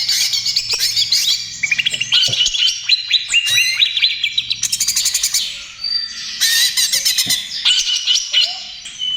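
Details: Greater green leafbird singing in the energetic trotol style, used to lure and soothe other birds: rich, fast, varied phrases of sharp whistles and rapid chattering trills, delivered in loud dense bursts with only brief pauses.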